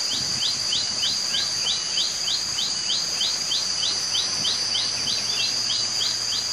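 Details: A wild common tailorbird, possibly one of a family of three or four, in low trees such as cassava in a West Java forest, gives quick, sharp, downslurred chips, about three a second, over a steady high insect drone.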